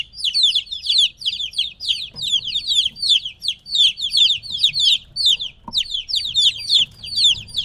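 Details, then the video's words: Little chickens about three weeks old, taken away from their mother, produce a continuous chorus of shrill falling peeps, many chicks cheeping at once in rapid pulses. "2 HOUR OF LITTLE CHICKENS CHIRPING NOISE"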